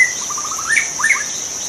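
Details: {'caption': 'Short burst of song from a wild white-rumped shama: a rapid even series of notes rising into a bright whistled flourish, backed by a shrill constant insect tone.'}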